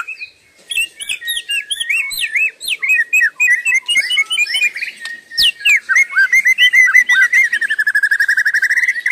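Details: Nonstop singing by a white-rumped shama, lively whistled notes hopping up and down, interspersed with sharp high chips, finishing in a rapid rolling trill of identical notes.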